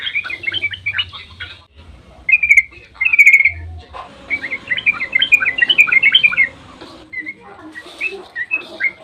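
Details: Dawn 'ropel' of a sooty-headed bulbul used as a lure for other bulbuls; short whistled phrases and pauses, then a dense two-second burst of bubbly rapid notes, trailing into softer chirps.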